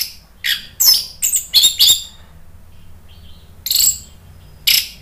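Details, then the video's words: Orange-headed thrush (anis merah) song, played as a lure to make other birds answer: bursts of high, sharp chirps and scratchy ratchet-like notes, separated by short pauses and a quieter trill, over a faint low hum. "SUARA ANIS MERAH bikin EMOSI jadi NRATAK NYAUT NGEPLONG ¦ PANCINGAN AM"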